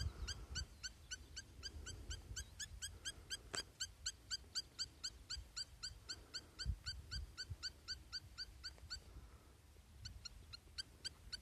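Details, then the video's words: A spur-winged lapwing keeps up a long, brisk series of sharp, tinny notes, about four each second, briefly faltering near the end; light wind and a few knocks behind. "Vanellus spinosus"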